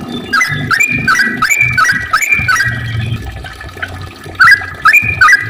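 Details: Yellow-vented bulbul singing to lure other birds into song: repeated whistled phrases of an upward slur then a held note, about three a second, with pauses, over a watery low rumble.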